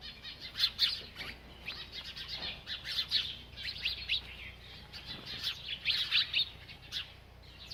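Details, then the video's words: Bird chirping as it eats, lively high tweets repeated in uneven bursts, sharp downward-slurred notes with a few louder peaks near one and six seconds. "This Happy Bird Won’t Stop Eating and Chirping"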